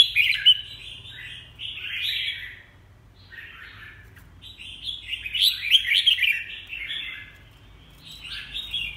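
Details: Red-whiskered bulbul in full voice, rapid chains of liquid whistled notes in two long bursts split by a quiet gap, each phrase wavering and slurred, with a low hum underneath.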